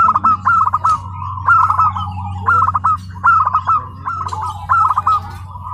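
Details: Local zebra dove, a tame home-raised bird, singing at its first training contest in Karawang: bursts of rapid bubbling, rolling coos repeated about every second, with a steady low hum and busy crowd noise beneath.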